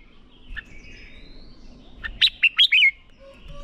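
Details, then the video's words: Red-whiskered bulbul 'ché' song used to train birds for fighting song: after two soft notes, a crisp burst of four or five loud, sharp whistles with a final warbled slur, against a quiet background. "Chào Mào Hót | QUÁ CHẤT. Luyện chào mào CHÉ/ KÍCH CHÀO MÀO NHANH CHÉ. Chào Mào Ché Kích Bổi Sung Lửa"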